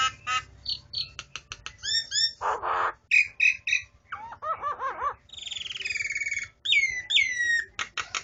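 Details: Starling song, a rapid varied medley of clicks, whistled notes, harsh buzzy bursts, down-slurred and rising chirps and a long raspy churr, packed densely with barely a pause.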